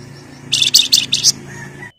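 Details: Flamboyan in full song, in an excited, tight rapid-fire chattering style called ngebren and nyerecet, giving a quick burst of four or five buzzy, high scratchy notes over a faint low hum.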